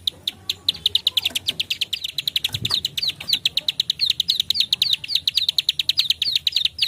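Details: Bar-winged prinia in dense 'klik' calling, used to draw prinias in: fast high clicking chips, roughly six each second, several notes later sliding upward, continuous throughout with a soft low bump midway.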